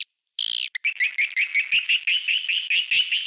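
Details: Swiftlet lure call: after a short burst, a steady series of buzzy, slightly rising chirps repeated about three times a second, high and bright throughout.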